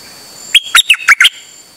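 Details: A Dok Taeng bird on a rare outing, 8 September 2023, singing without stopping; a phrase of five evenly spaced, metallic chirps lasting under a second, then silence.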